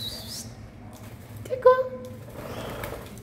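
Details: A pet black-capped lory gives a single loud, short, nasal, harmonic squawk that rises slightly, recorded for use as a lure call, over a quiet background with low hum and faint rustling.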